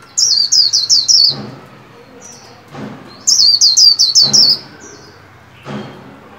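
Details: Caged white-eye practising song for the 2021 new year: two bursts of five or six rapid high whistled notes, short softer notes between, and several dull low thumps.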